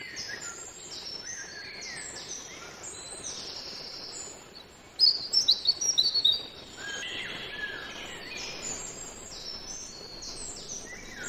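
European robin singing high, thin, wistful phrases of quick varied notes, with one loud sharp burst midway; other faint high chirps fill the background.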